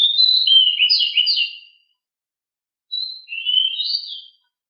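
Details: Agile, very noisy pied bushchat delivering 'ngeroll' song: a dense burst of rapid, buzzy, rolling high notes lasting almost two seconds, a pause, then a shorter second burst of twittering trills.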